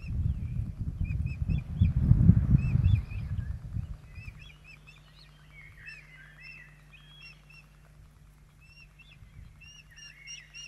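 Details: Ospreys at a Poole Harbour nest on 8 June 2024, with both parents present while the chicks are fed dinner. After a burst of low rumbling, a series of thin whistled chirps repeats rapidly over steady low hum.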